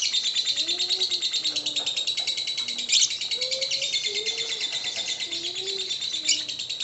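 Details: Lovebird singing in the ngekek style, played to provoke other lovebirds into song: a continuous high, buzzy, rapid chatter with brief louder bursts, over softer low cooing or whistled notes from other birds in the background.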